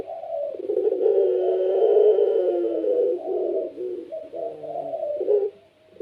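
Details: A kept Barbary dove of the pelung type, a lively singer used to set other doves cooing: one long, deep, vibrating coo run for four seconds, followed by shorter choppy coo notes that fade out.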